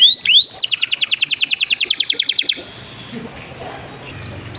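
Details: Canary song played to teach young canaries to sing: opening rising whistled sweeps, then a fast loud trill of about twenty sharp repeated chirps over two seconds, ending abruptly into quiet background noise.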